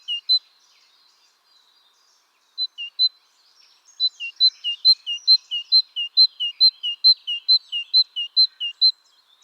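Great tit song: a bright two-note 'teacher-teacher' phrase, a high note dropping to a lower one, repeated briskly over two clear bursts with a short gap.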